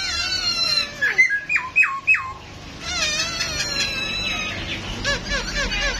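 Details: Pet masked laughingthrush bobbing in a dance while calling: a varied run of harsh squawks, quick downslurred whistles repeated three times, then dense chattering notes in a busy, energetic sequence.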